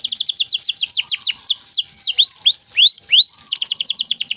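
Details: Canary in loud continuous song with luxurious 'cengkok mewah' phrasing: quick descending chirp trills, then several slow arching whistled notes, then another fast high trill.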